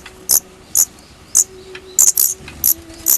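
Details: Daurian redstart fledglings on their first departure from the nest give a run of loud, very high, brief squeaky notes, seven or eight within three seconds, unevenly spaced, with faint low hum behind.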